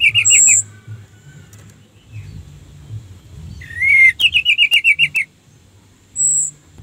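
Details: Orange-headed thrush song used as a lure to stir other thrushes into singing. A quick series of about eight sharp, wavering whistled notes is delivered with high pure piping notes before and after, over a low background hum.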